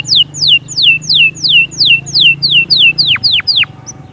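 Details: Canary song to encourage young birds to sing and prepare females: a regular series of loud downslurred whistles about three per second, ending with steeper plunging notes, over a steady low hum.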